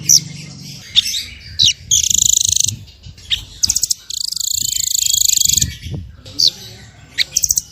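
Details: High, shrill small bird song in masteran style with full 'tembakan': whistled slurs, a buzzy trill, quick clicking stutters and a long, sustained rasping buzz near the middle.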